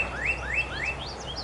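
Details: Birds sing cheerfully in a yard on a spring morning: a quick run of rising, slurred whistles about three per second, with fainter high notes from other birds over a soft outdoor hiss.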